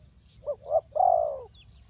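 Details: Spotted dove cooing as a trapping decoy for wild birds: two short clipped notes followed by one long, smooth, level coo, loud and clear against quiet background hum.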